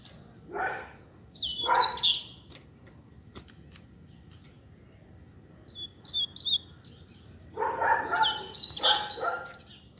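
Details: Song from a pair of Double-collared seedeaters kept outdoors: two loud bursts of fast, high, scratchy twitters with lower rough sounds underneath, separated by a quieter stretch with a few short chirps.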